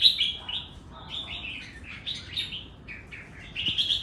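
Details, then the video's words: Red-whiskered bulbul song of the kind said to be sure to 'double': a running chain of clear, warbled whistles with quick up-and-down slurs. It dips quieter mid-phrase, then ends on a loud, sustained whistle. "เบิ้ลแน่นอนน ถ้าออกแบบนี้"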